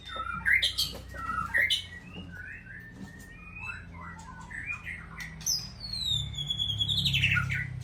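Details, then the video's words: Caged Aceh white-rumped shama giving a mix of harsh squawky notes and short whistled phrases, ending in a long high descending whistle, over steady low rumbling background noise. "Murai Aceh"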